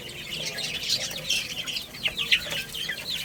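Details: Little chicks playing and eating, a steady stream of short high peeping chirps, some down-slurred, from several birds at once.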